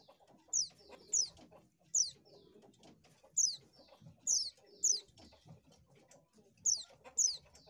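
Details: Oriental white-eye singing to lure birds: bright, very high descending notes, often in quick pairs, separated by short pauses, with faint low rustling and murmur beneath.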